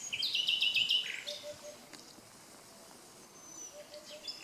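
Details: Nightingale song beside the Canal du Midi near Le Somail, Languedoc, France, opening with a loud, rapid series of repeated notes that fall slightly, then quieter high notes. A faint low tone repeats in the distance.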